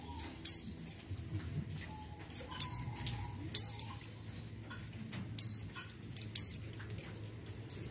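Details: Female mountain white-eye in breeding condition calling to the male: short, thin, high chirps with sharp downward slurs, given in irregular bursts about once a second over a low, steady background hum.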